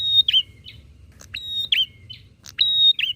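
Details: Excited bar-winged prinia exchange meant to provoke rival birds: quick sequence of high whistles with twisting endings, short sharp clicks and a faint thin falling note, three phrases in about three seconds.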